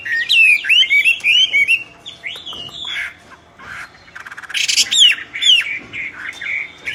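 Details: Common hill myna singing forcefully, mixing clear whistles that sweep up and down with harsh buzzy squawks and rattling clicks, a quieter pause midway, then more loud slurred notes.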